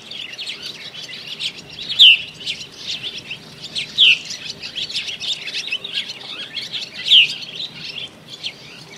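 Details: Purple martins arriving in early March, seeking nest cavities and mates, chatter in a busy, gurgling mix of high chirps, with three louder descending notes standing out about every two to three seconds.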